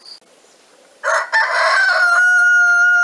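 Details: Domestic rooster, one of several roosters living free outdoors beside a caged hen enclosure in the Lot, France, crows: a harsh broken opening rising into a long drawn-out final note held over a second; a faint high tone before.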